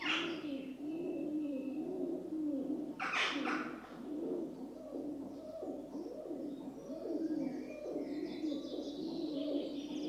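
Several rock doves coo together in a low, rolling, throaty murmur that never stops, with a brief flutter of wings and faint chirps from smaller birds.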